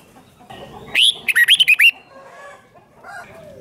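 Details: Red-whiskered bulbul singing in the 'rik' style, a recording played to excite caged birds: one loud burst of about six quick whistled notes, the first rising high, the rest dipping and bouncing, with faint chatter before and after.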